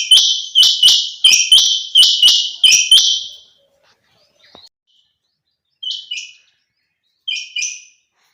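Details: Female quail (chinga batair) rapidly repeating about seven loud, high, buzzy notes in three seconds, then after a silence two short, softer spaced pairs of notes.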